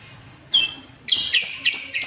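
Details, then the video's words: Lovebird recording used for setting up caged birds to lengthen their ngekek chatter: a short high squeak, a pause, then a dense burst of shrill, buzzy high chirps running together. "Suara burung love bird untuk setingan"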